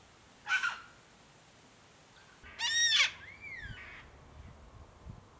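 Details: South-eastern Glossy Black-Cockatoo (Calyptorhynchus lathami lathami) in a favoured foraging zone on the Kings Tableland, Blue Mountains, NSW, Australia, 2022: a short harsh harmonic note, then a louder grating rasp and a rising-falling whistle.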